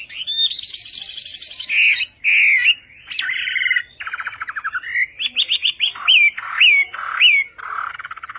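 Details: Chinese hwamei, named as western hwamei, with a varied Vietnamese-style song: buzzy trills, short rattles and mimicry-like notes, ending with three loud upward-flicking whistles and a lower slurred note.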